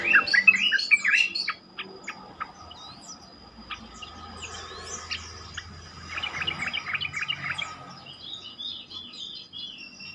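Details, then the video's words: Yellow-vented bulbul song meant to lure other bulbuls into replying; busy chattering and chirping phrases open, then scattered high notes, then a second burst of quick bubbly notes, with a steady high-pitched tone and faint rustling underneath. "pancingan trucukan terkomplit sangat bagus untuk membuat trucukan lain lebih gacor"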